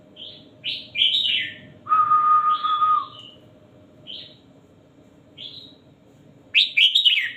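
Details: Red-whiskered bulbul giving a teacher-voice song, used as a model for training birds; short bright whistled phrases come in bursts, with one long steady lower whistle and a low hum underneath.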